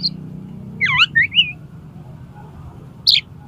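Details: Singing Oriental magpie-robin provoking another to fight, tail spread open: a looping, swooping whistle followed by two short slurred notes, a silence over steady low hum, then one sharp high chirp.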